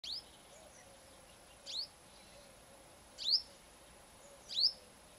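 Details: Female purple-rumped sunbird singing in the morning at a home: four thin, sharp, high sweeping notes spaced about one and a half seconds apart, each a quick bright chip over a quiet background with a faint steady high hiss.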